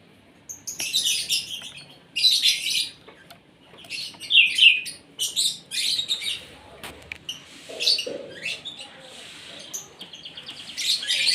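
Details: Caged Asian pied starling singing at its morning feed. Irregular scratchy, chattering high phrases with some clearer whistled notes, a brief lower murmur near the end, and quieter stretches between bursts.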